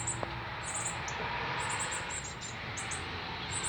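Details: Begging northern cardinal fledgling, fed by the male on its first day out of the nest in Canada, September 12, 2020: scattered high-pitched chip groups, with a single sharp click near the start and a low hum throughout.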